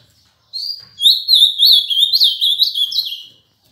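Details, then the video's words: An Ultramarine grosbeak from Paraná sings one rich, warbled phrase of quick sliding whistles, opening with a short note and lasting about two and a half seconds, with no other sounds. "AZULÃO CANTO"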